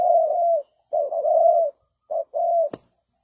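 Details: Spotted dove used as a decoy to lure wild birds into a trap, giving long level cooing notes in a broken series, a short pause between phrases, one sharp click near the end.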